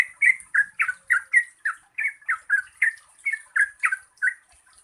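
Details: A Yellow-vented bulbul in energetic lure song for prompting reluctant singers; harsh, squawky bubbling notes in a rapid, even series, tapering off at the end.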